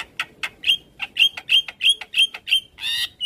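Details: Black-winged starling song for training young birds: crisp, evenly spaced high whistled chips repeated about three times a second, closing in a brief harsh buzzy note and one last whistle.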